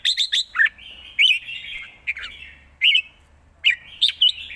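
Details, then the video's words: Thai caged red-whiskered bulbul with a brisk, well-phrased song: sharp bright whistled notes in short groups of two or three, linked by softer buzzy warbling, loud phrases recurring about every second, a low hum in the background. "สด ริก"สับไว สำนวนดี#เสียงนกกรงหัวจุก"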